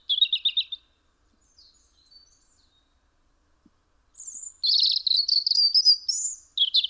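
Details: European robin at a house window in Eibar, Gipuzkoa, December 2019: a short trilled phrase, several seconds of near silence with faint notes, then a loud run of rapid warbled trills and rising whistles.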